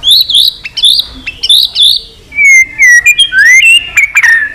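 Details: Long fighting-provoking song of a white-rumped shama, delivered as a rich run of high, bouncing whistles, then sliding and rising notes in quick, varied succession.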